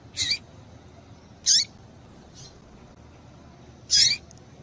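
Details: Female papa-capim giving her call to excite males: three sharp, high chirps spaced over four seconds, each ending in a short downward slide, plus one faint softer note between them.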